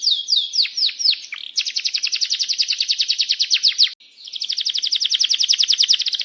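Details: Canary song for prompting other canaries, long and rolling: a few falling whistled slurs lead into a long, rapid, buzzy trill, then a short break and another fast, even trill.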